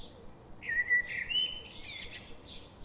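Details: A bird gives a bright, sustained whistled phrase that wavers and rises slightly, followed by a few higher, buzzier notes, against faint background noise.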